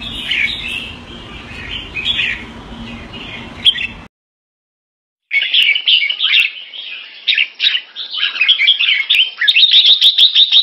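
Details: Red-whiskered Bulbul kept in Singapore, keke on command: chattering chirps, a short silent break, then a livelier stream of fast squeaky notes building into rapid repeated chips.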